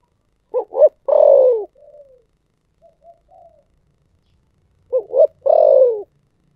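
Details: Spotted dove singing in the thổ sấm style. Two phrases come about four seconds apart, each of two clipped hoots and a sustained, falling coo, with soft murmured coos between them.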